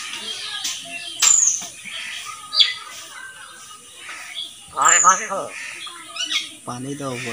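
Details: Talking common hill myna mimicking words: thin, very high whistles sliding down at intervals, with a loud, rasping, speech-like burst in the middle and a low, buzzy phrase at the end over faint room noise.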